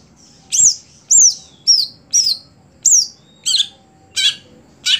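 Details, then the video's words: Caged contest songbird, a greater green leafbird, repeats bright down-slurred whistles roughly every half second, then switches to harsh buzzy rasps, with a faint hum beneath. "Ketika Cucak Hijau Sudah Tidak Jalan Gantangan"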